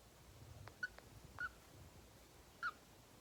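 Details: Pet green-cheeked conure, a 2.5-year-old male, cuddling at his owner's neck and making tongue clicking sounds: a few sharp, dry clicks followed by three short, soft, high beeping chirps spaced about a second apart, quiet room.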